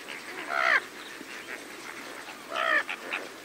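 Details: Several greater flamingos feeding alongside lesser flamingos; two loud, nasal, goose-like honks with rich harmonics stand out near the start and again two seconds later, over a steady murmuring chatter from the flock.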